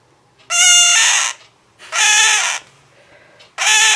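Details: Pet male scarlet-chested parakeet crying beside its female mate: three loud, harsh, drawn-out rasping squawks, each under a second, spaced about a second apart, with faint background music.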